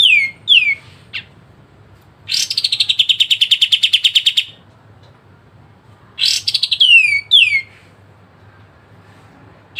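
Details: Master song of a pied triller for training songbirds, with sharp phrases: downward-slurred whistles, then a harsh start giving way to a fast buzzy trill of even notes, repeated after a silence.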